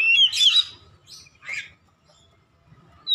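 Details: Oriental magpie-robin song played for training caged birds at home: a short burst of harsh squawky notes and whistles, then faint scattered chirps and near silence, with a low hum throughout.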